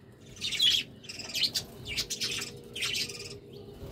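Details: Budgerigars at courtship time, warbling in four distinct bursts of buzzy, chattering notes about every second, over a faint steady hum.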